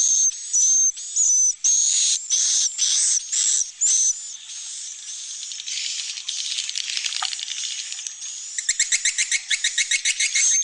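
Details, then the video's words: Swiftlet roosting-room call of a flock from chicks to adults, played inside a swiftlet house to make birds feel safe: rapid, buzzy, high twittering bursts about two a second, a thin steady whistle underneath, faster clicking chatter near the end. "Suara Inap Burung Walet"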